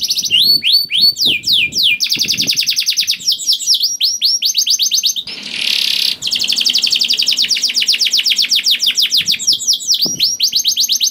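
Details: Canary song used to make other canaries sing: long, rapid, rattling trills with whistled swoops, interrupted by a short harsh hissing burst, then more fast trilling.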